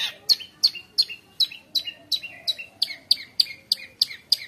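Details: Long-tailed shrike in tutor song for young shrikes: a steady series of about fourteen sharp, downslurred high notes, each followed by a lower echoing tail, repeated roughly three times a second.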